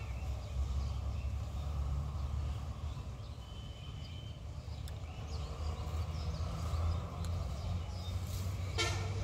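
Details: Heavy street traffic rumble with passing vehicles and a brief horn, no animal calls.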